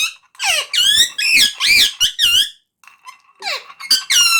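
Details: Talking parrot chattering in a rapid run of loud, wavering squeaky notes rich in harmonics, a brief pause, then more falling squeals.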